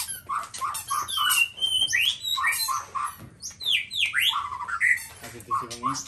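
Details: White-rumped shama, the black-tailed form, singing a varied run of whistled, slurred notes, short rising and falling phrases and sweeps, repeated quickly over six seconds, with faint background noise.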